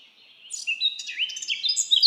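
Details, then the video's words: Brief burst of bright, quickly changing bird song in a forest, twittering notes leaping up and down and growing louder toward the end. "Birds singing // Forest of birds relaxing your Mind"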